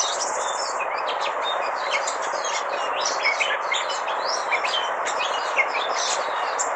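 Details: Red-whiskered bulbul on loan for study, making canary noises: a rapid jumble of short high chirps, twitters and thin whistled notes over a steady broad hiss.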